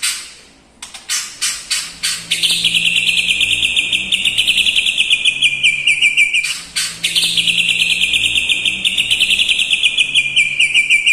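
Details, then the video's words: White-rumped shama song with mimicked lovebird, kapas tembak and cucak jenggot phrases: a burst of sharp ascending notes, then a long, rapid, buzzy trill held high, breaking briefly and starting again. "MURAI BATU MEWAH ISIAN FULL LOVE BIRD,KAPAS TEMBAK,CUCAK JENGGOT"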